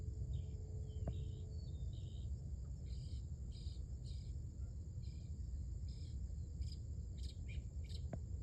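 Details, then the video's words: Early-morning female mockingbird giving a run of short buzzy, harsh bursts repeated roughly every half second, with a brief whistled note near the start and constant low background rumble. "A VERY Happy 😊 Mocking Bird Indeed."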